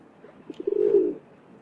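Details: Rock dove, also known as feral or street pigeon, giving a low throaty coo: a few soft short pulses, then a sustained hoarse note lasting about half a second, in a quiet setting.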